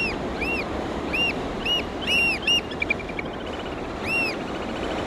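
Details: A breeding pair of black oystercatchers vocalizing to each other while mating again after losing their newly hatched chick: loud, piercing, slightly arched 'wheep' whistles spaced irregularly, with a quick piping run midway, over steady surf or wind noise.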